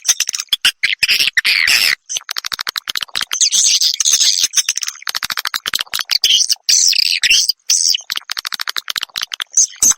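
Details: Edible-nest swiftlet lure sound played to draw swiftlets in to roost; long stream of rapid clicks and buzzy, high chattering twitters, almost continuous with short pauses.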